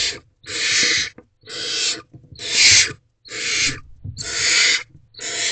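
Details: Night recording from a barn owl nest box at 3:40 am, 29 April 2023, during a food delivery by the male. Rasping, noisy screeches of about half a second to a second repeat roughly every second, with faint scuffling between them.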